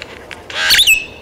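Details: Great-tailed grackle recorded in Taos, New Mexico, on 17 June 2017: a single harsh, noisy squawk ending in a sharp, high, rising-then-falling whistle, loud against a quiet background.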